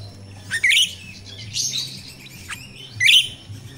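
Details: Natural song of a jalak rio-rio myna used to lure and train captive birds: three loud squeaky, grating bursts with a longer buzzy phrase between them, a faint hum underneath.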